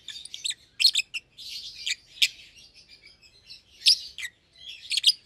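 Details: Young caged lovebirds, albino and euwing green opaline, kept as a pair; high twittering chatter punctuated by sharp chirps in clusters.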